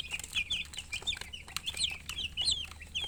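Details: Baby chicks chirping in a busy overlapping chorus of high, short peeps, many birds calling at once with rapid, irregular bright notes throughout and a faint low hum underneath.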